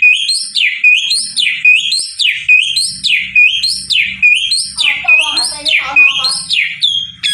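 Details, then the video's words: Asian pied starling in full, lively song: loud rising-and-falling whistled phrases repeated roughly every three quarters of a second, with harsher chattering notes mixed in toward the end and a faint low murmur beneath. "JALAK UREN GACOR"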